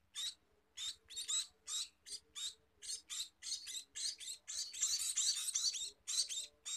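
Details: Feeding scene with a Scaly-breasted munia: rapid, uneven series of raspy high chirps, spaced at first, then crowding into a continuous harsh chatter before breaking into separate notes again.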